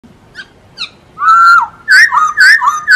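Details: Masked laughingthrush singing vigorously, recorded as a tutor song for training other birds: two faint high chirps, then a long level whistle followed by a run of loud, slurred whistled notes that rise and dip.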